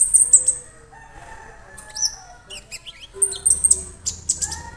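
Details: A young Orange-bellied leafbird kept alone in a cage and already singing gives very high sharp notes, quick downward-sweeping whistles and rapid chattered trills, with faint lower steady whistled tones in the background.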